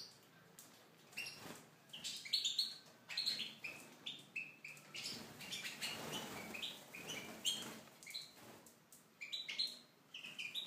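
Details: Goldfinch of Tunisian type in an aviary: rapid high twittering phrases in clusters, with a soft rustle of wing flutter midway before the bright chirping resumes.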